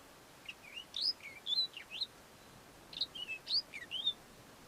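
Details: Melodious Lark, a southern African lark, singing with mimicry of other local bird species: clear slurred whistles and short chirps around mid-high pitch, delivered in two quick bursts separated by a brief pause, over faint background hiss.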